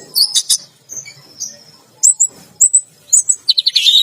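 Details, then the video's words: Orange-headed thrush bathing in a bath cage gives sharp high chirps and short whistled notes, ending in a fast buzzy stutter of repeated notes. "Anis Merah Teler Gacor || Baru Kali Ini Ada Burung Mandi Keramba Sambil Teler Gacor"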